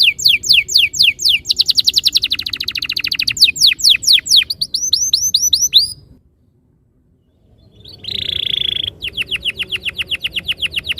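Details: Canary song used as a training lure (masteran) to prompt other canaries to sing rolling trills: rapid repeated high sweeping notes, then a buzzy steady trill, a brief silence, and a fast rolling trill resuming.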